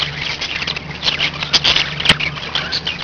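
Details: Several pet budgerigars chattering together: rapid, scratchy chirps and warbled squeaks overlapping almost continuously, with a couple of sharp clicks and a steady low hum in the background.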